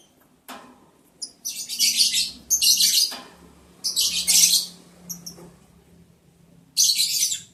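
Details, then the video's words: Breeding-season lovebirds mating, day 11 of breeding, July 11, 2022: grating high chirps in clusters of two or three, over a low steady hum and occasional knocks. "sound love birds Mating"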